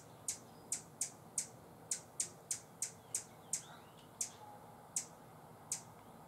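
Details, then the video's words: Buff-bellied hummingbird at a feeder it is guarding, San Benito, Texas, October 2014: high, sharp chip notes, quick at first, then slowing to irregular single chips spaced up to a second apart. "Buff-bellied Hummingbird warning call"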